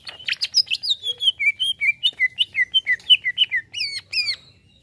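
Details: Greater green leafbird reacting to a played sound: a rapid, lively run of clear slurred whistles, alternating rising and falling notes about three per second, closing with two loud, bright downslurred notes; quiet background otherwise.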